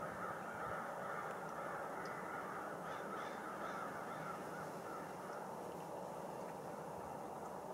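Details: Blackbirds on an island in Rush Lake: a dense, unbroken din of many harsh, overlapping calls forms a constant roar, with faint short chattering notes rising above it throughout.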